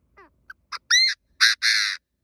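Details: Decoy Chinese francolin calling to draw in wild birds for trapping: faint soft notes lead into a rising whistled syllable followed by two loud, harsh, drawn-out buzzy notes in a strident phrase.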